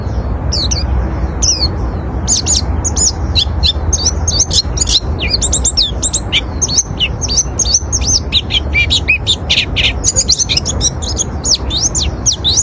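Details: Oriental white-eye song meant to draw in other white-eyes, a dense, continuous stream of very high twittering chirps and slurred notes, rapid and unbroken throughout, with a low hum beneath.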